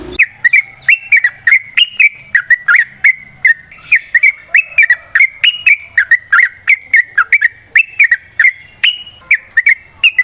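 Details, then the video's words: Yellow-vented bulbul song in natural surroundings, a long rapid sequence used as a lure for other birds: a continuous string of clear, bubbly whistled notes, about three per second, with a faint high hiss. "Trucukan GACOR ngalas ROPEL PANJANG suara alam"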